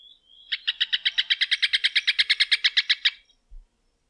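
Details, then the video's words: Rufous hornero song: a short thin note, then a loud run of about twenty sharp, evenly spaced notes repeated roughly seven per second, with stacked harmonics, ending abruptly in a quiet background. "Canto do João de Barro / Maria Barreira | Rufous Hornero"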